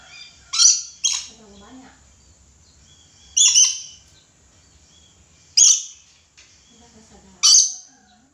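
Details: Loud grating screeches from an actively calling red lory, a close pair followed by single bursts roughly every two seconds, with faint low chatter between them.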